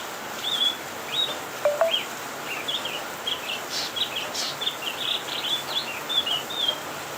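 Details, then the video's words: Cucak kinoi (leafbird) in lively, full song: a rapid series of short whistled and chirpy notes, some sweeping up or down, delivered continuously over a steady background hiss. "Kicauan burung cucak kinoi"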